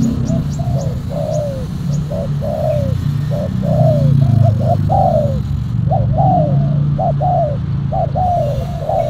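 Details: Spotted doves, a silver black-collared decoy used to lure them, coo in a long run: paired short and arched falling notes repeated about every second, with faint high chirps at the start and a low background rumble.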